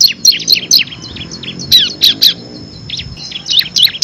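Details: Bar-winged prinia singing full 'ngebren' style, a six-variation master song for training competition birds: clusters of thin high chirps and short trills in irregular bursts, with a faint steady whine and low background rumble.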